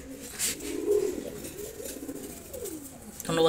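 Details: Silver Gorra pigeon pair indoors; a low drawn-out coo swelling and fading, followed by a brief sharp noise at the end.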